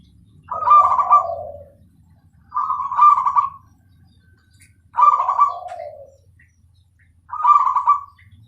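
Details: Zebra dove of the Bangkok type singing actively with a clear voice: four trilled, purring coo phrases, each ending in a lower falling note, spaced about every two and a half seconds over a faint low hum.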